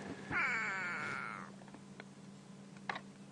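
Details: A go-away bird, perched just above a leopard at an impala kill during a South African sunrise safari drive on 20 July 2016, gives one drawn-out, nasal, slightly falling wail of about a second, then flies off; faint clicks over a low hum.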